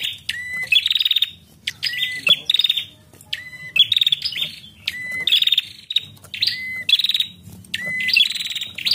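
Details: Bar-winged prinia (Prinia familiaris), female call: female calling to stimulate the male to sing.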